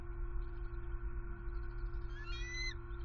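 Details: Hungry bald eagle nestlings at a Southwest Florida nest on 6 February 2021, with one chick aggressive toward its submissive sibling before the father brings prey: a brief high, thin, slurred call near the end, over a steady low electrical hum.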